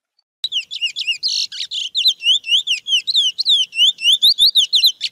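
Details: A wild chestnut-bellied seed finch sings mateiro-style, repeating a rapid chevron-shaped whistled note several times per second, with one harsh buzz early on.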